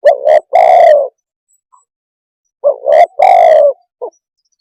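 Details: Spotted dove calling in low, throaty coos. A short note runs into a long sustained croo, and after a silent gap the same phrase repeats with a brief clipped coo at the end. No other sounds.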